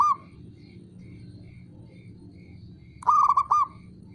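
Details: Male local zebra dove gives one short rolling, quavering coo phrase after a quiet pause with low background hum and soft ticking.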